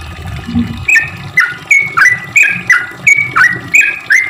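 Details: Lure recording of a sooty-headed bulbul: a steady string of clear, bubbling two-part notes repeated roughly three times a second, a brief low thump near the start.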